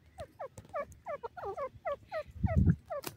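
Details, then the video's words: Wild francolin giving a rapid run of paired, downward-slurred notes, about three per second, steady and rhythmic, with a brief low thump near the end. "pheasant awaz,teetar sound,partridge teetar awaz,teetar voice"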